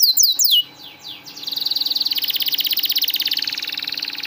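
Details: Canary song for training and stimulating silent canaries: a few loud descending whistled slurs fading, then a long, even, rapid buzzy roll of high notes.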